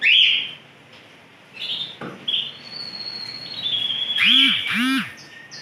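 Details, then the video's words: Actively singing (gacor) canary from a stock of Larquet, Scotch Fancy, frost and silver agate birds, December 2020: short high whistled and trilled phrases separated by pauses, with two loud lower arched harmonic calls near the end. "Stok kenari GACOR"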